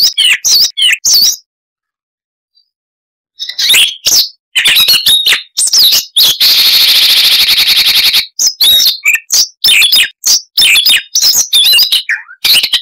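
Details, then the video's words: Siberian rubythroat in long varied song: a few chips, a two-second pause, then busy chatter with a sustained buzzy rattling stretch lasting about three seconds, and more whistled notes after. "Masteran Burung Luar Negeri Suara Unik Asli HD AUDIO - Siberian Rubythroat (Luscinia calliope)"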